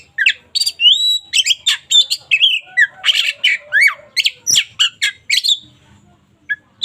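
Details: Local white-rumped shama in lively song, suited for daily tutoring: rich varied phrases of whistles, chattering notes and sweeping slurs in quick succession, with brief pauses, ending with a couple of isolated notes.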